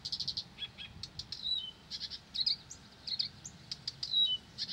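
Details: Blyth's reed warbler in continuous song, a string of rapid dry clicks and buzzy high notes broken by short falling whistles, phrases running one after another with brief gaps.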